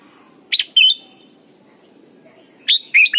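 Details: Thai red-whiskered bulbul, a song for teaching young birds: paired bright whistled notes, a slurred falling tail, a long pause, then another quick pair of chirpy whistles over low hum.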